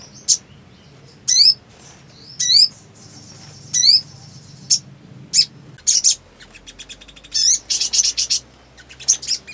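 Black sunbird giving sharp, high, thin chirps roughly once a second, then breaking into rapid, tinny twittering trills.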